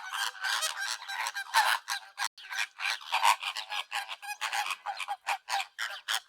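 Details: Flamingos calling as a flock: dense continuous goose-like honking and nasal gabbling, many short overlapping notes in quick succession with no pauses.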